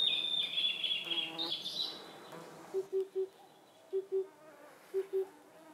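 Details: Blue-and-white flycatcher in the Khingan reserve, Amur region, Russian Far East: long high whistles ending in a rough, buzzy flourish. Paired low hooting notes of an Oriental cuckoo then repeat three times.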